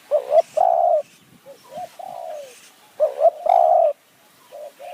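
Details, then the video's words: Spotted dove used as a decoy to lure wild doves in hill forest at Kanchanaburi, Thailand: loud coo phrases of two short notes and a drawn-out coo, with a fainter dove answering between them. "ต่อนกเขาใหญ่ป่าสูง เมืองกาญ | คูอ่าง หนุนอ่าง คารมเรียกคําคูคํา"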